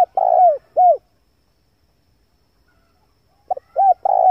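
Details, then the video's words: Male spotted dove cooing as a lure for wild doves. The tail of one phrase, a long rolling coo and an arched note, is followed by silence. A fresh phrase then starts with a short note and rounded coos. "pancingan suara burung tekukur jantan"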